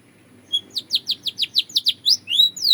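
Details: Belgian canary singing: after a brief high note, a run of about nine quick downward-sweeping chirps, evenly spaced, then two longer rising-and-falling whistled slurs at the end. Low background hum.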